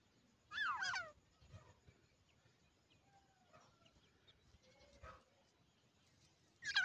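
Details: Grey francolin chicks giving a short burst of loud, harmonic, down-slurred calls near the start, then quiet with faint scattered chirps and a sharp call returning at the end.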